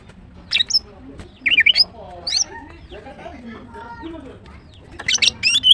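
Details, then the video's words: A female greater green leafbird (Chloropsis sonnerati) gives short bursts of high, squeaky, twittering chirps in four clusters, with a person talking quietly in the gaps. "The female Green Cucak bird is chirping well, GREATER GREEN LEARBIRD"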